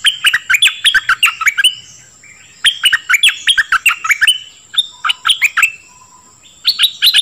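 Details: Dok taeng bird song for training young birds and exciting them: long runs of energetic, downslurred chirps in several phrases, with a steady thin high tone in the background.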